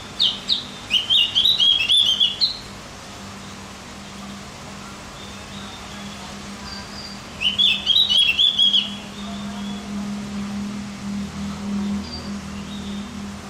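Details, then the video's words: Javan grey-throated white-eye song, played as a training recording to excite other birds: two bursts of high, rapid, chattering twitters with quick sliding notes, the first near the start and the second at about eight seconds, over a low steady hum. "Masteran buat burung OPIOR JAWA agar tambah emosi"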